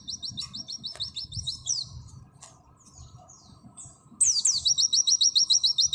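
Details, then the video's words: High, rapid trill of repeated short notes from an Oriental white-eye in nembak style, fading into scattered chirps, then resuming loudly with steep downslurred whistles and another quick, even note series. "Masteran full materi burung pleci nembak sejalur Pleci auri"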